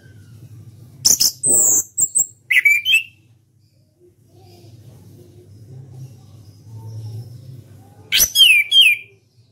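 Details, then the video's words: Orange-headed thrush, a caged national contest champion, delivering ngeplong song: sharp high notes and a short rising whistled phrase, a long pause with faint low hum, then a second burst of twisting whistles. "KICAU ANIS KEMBANG NGEPLONG"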